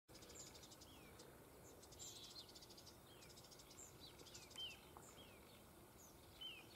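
Spotted flycatcher giving thin, high, squeaky notes, short and sharply slurred, scattered irregularly, over insect buzzing and steady background hiss.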